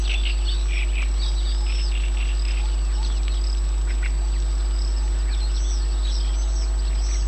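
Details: Birds singing in Yanovka, Novocherkassk, on 29 May 2017: repeated whistled upslurred notes and twittering phrases from several birds, fairly dense throughout, over persistent electrical hum and low noise.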